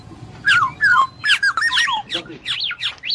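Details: Black-naped oriole whistling quick down-slurred and wavering notes in a fast run, liquid and bright, several phrases within a few seconds.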